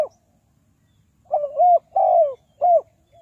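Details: Spotted dove call of the kind used to lure wild doves into traps: three mellow, hollow coos in quick succession, the middle one longest and gently falling, followed by a brief soft note, against a quiet background.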